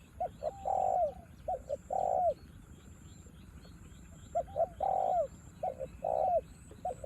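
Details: Spotted dove used as a decoy bird, singing against a wild dove in the rain: mellow, low cooing phrases of two short notes and a longer drawn coo, repeated in bursts with pauses between.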